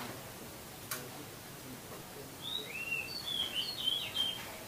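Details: Oriental magpie-robin song used as a master recording for training caged birds: a short run of varied clear whistles and slurred notes, some rising, some falling, over steady low background hum.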